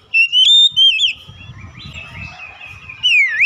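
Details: Oriental magpie-robin in lively song: strong clear whistles with upward and downward slides at start and end, a quieter warbled stretch between, and faint low background rumble.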